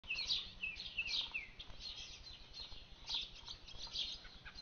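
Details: Orchard oriole singing in a garden: rapid, varied run of bright whistled and slurred notes, high-pitched phrases bunched in bursts, with a low steady hum beneath.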